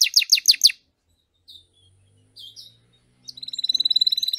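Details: Canary, one of three master singers: a short burst of five rapid downslurred notes, near silence with a few soft chirps, then a fast high rolling trill starting up.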